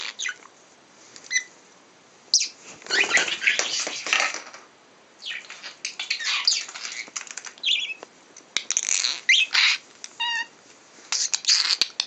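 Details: Happy, hand-tame budgerigars chatter while playing with toys, giving bursts of scratchy high warbles and sharp chirps, with rustling and clicking between.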